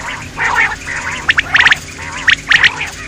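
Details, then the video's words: Common quail (batair) giving its kirak call: short harsh crackling bursts, some paired, scattered over three seconds above a softer, rasping, wavering background noise. "Batair Ki New Awaz |New Common Quail Sound | Batair Ki New kirak"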